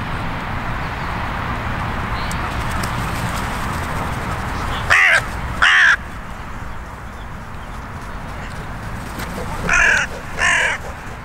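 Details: Carrion crow in a park, in a built-up area where five or six crow territories converge, giving two pairs of harsh, hoarse caws, one pair midway and another near the end, over a steady low rumble of background noise.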